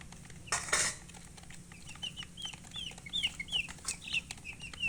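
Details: Colored chickens (murgi, hen) chirping: short, high, arched peeps repeated about every third of a second, following an early burst of rustling or clattering noise.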